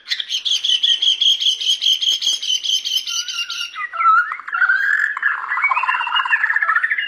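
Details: Captive Borneo white-rumped shama displaying vigorously: a fast rhythmic string of high, ringing repeated notes for about three seconds, then lower warbling and chattering phrases.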